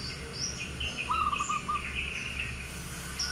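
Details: Albino sooty-headed bulbul with white plumage and red eyes, described as a rare bird, gives a short bubbly warbled phrase of clear mid-pitched notes, with thin higher chirps and a steady low hum behind.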